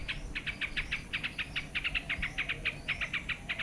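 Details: Yellow-vented bulbul calling: a quick run of short, bright chipping notes at a steady mid-high pitch, given in loose bursts of two to four across the whole stretch, over a faint low rumble.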